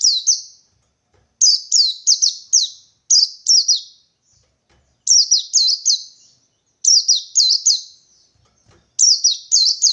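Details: Wild white-eye searching for a rival, singing the 123-beat standard. Bursts of three to four high, sharply falling chirps repeat about every two seconds across the stretch, and nothing else is audible.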